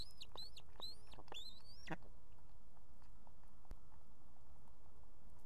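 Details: Female osprey with two young at a nest in Estonia, 18 July 2016, calling her mate to bring fish: four quick, rising whistled yelps within two seconds, then quiet with low steady rumble.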